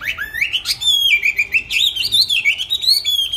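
A songbird sings a fast, continuous run of high whistled and warbled notes, rising and falling with rapid trills and chattering phrases.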